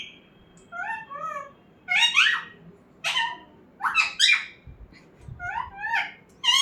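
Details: Pet talking parrot mixes arched whistled notes with sharp speech-like syllables, a sequence of varied vocal bursts over several seconds in a quiet room.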